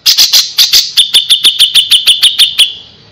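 A Grey-cheeked Bulbul gives a fast run of about fifteen sharp notes, about six a second. The first notes are harsh and scratchy, then they turn clearer and higher-pitched.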